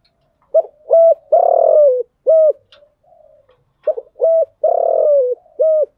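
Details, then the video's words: Spotted dove decoy cooing to lure wild doves, styles called thúc gù and gáy gọi: two phrases of low, hollow coos, two short notes, a long note sliding down, then a short one, separated by a pause. "Tiếng chim cu gáy mồi giọng lôi cuốn hấp dẫn đủ bài[ THÚC GÙ , GÁY GỌI ]"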